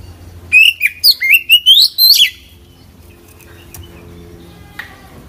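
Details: Oriental magpie-robin singing with isian phrases: one rapid two-second run of loud, clear whistles, several sliding upward in quick steps, then near quiet with a faint click.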